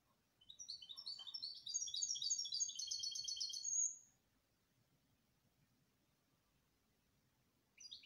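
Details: Canary singing a bright, rapid song of repeated high downslurred notes, ending in a fast buzzy trill, then silence before a brief new phrase starts at the very end.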